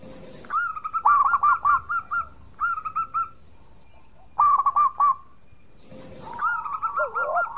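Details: An actively singing local zebra dove, recorded as a lure to provoke rivals into answering: several bursts of rapid, quavering coos separated by pauses, the last burst joined by a lower, wavering voice.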